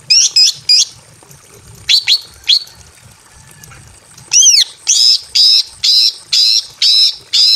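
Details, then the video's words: Female greater green leafbird in a simple aviary cage, in breeding condition and calling to a male, giving sharp, high chirps in pairs and triplets, then a rapid series of bright, evenly spaced notes about twice a second. "KICAU BURUNG CUCAK IJO BETINA MEMANGGIL JANTAN BIRAHI KAWIN"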